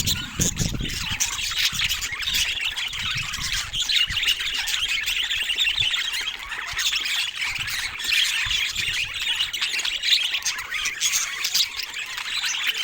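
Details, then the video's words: Many budgerigars twitter at once in a thick, high, buzzy chorus of quick chirps and squeaks. A low thump opens the stretch, then the chatter holds steady. "100% Natural Parrot Ambience"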